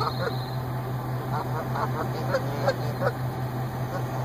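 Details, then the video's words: Goose pair greeting each other in a parking lot where they nest yearly, after the female's week of treatment for suspected lead poisoning; sparse clusters of short honks stand out over a steady low background drone. "Goose reunion"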